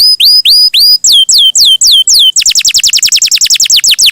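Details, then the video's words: Canary singing in a continuous, melodious chattering style. A series of clear, rising whistled notes repeats about four times a second, then breaks into a rapid, steady trill of sweeping notes. "Suara Burung Kenari!!! GACOR MERDU"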